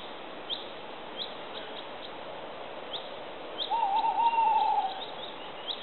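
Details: Tawny owl giving a single low wavering, quavering hoot lasting about a second, against steady background hiss with scattered faint high ticking notes.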